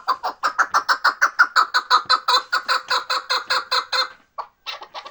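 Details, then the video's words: Chukar partridge from Bartang, Pamir, giving a steady rhythmic series of loud chucking notes, roughly three per second, for about four seconds before breaking off into a few scattered notes. "Кабки Бартанги Помир"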